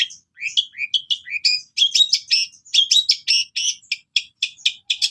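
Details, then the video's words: Cendet, the long-tailed shrike, in full song with cililin imitations, meant as a master for caged birds: varied high chattering phrases, short rising whistles building into dense rapid bursts of scratchy notes. "Burung Cendet Sultan Gacor Full Tembakan Gereja"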